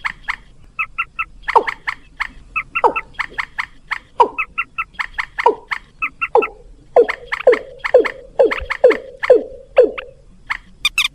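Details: Bird-luring recording of rails together with watercock: clusters of short twangy honks interspersed with falling swoops, ending in an even, fast sequence of descending notes.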